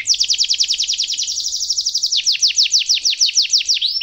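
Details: Canary with a long rolling song for young canaries to learn: a fast even trill of sharp downslurred notes, slowing slightly into spaced sweeps near the end.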